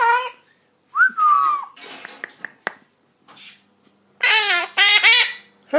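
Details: Indoor twelve-year-old female Hahn's macaw from a rescue, mixing a whistled falling note, scratchy clicks and mumbling, then two loud harsh raspy squawked words near the end.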